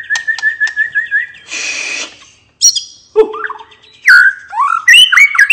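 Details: White-rumped shama singing relaxed 'ngeplong' to get other birds singing again: repeated short whistles, a harsh burst, then loud varied whistled phrases and chirps.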